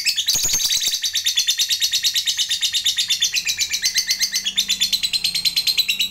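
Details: Lovebird calling to draw answers from other lovebirds: steady, rapid, scratchy chatter of high notes pulsing about three times a second, with a few lower dipping notes partway through and a faint low hum behind.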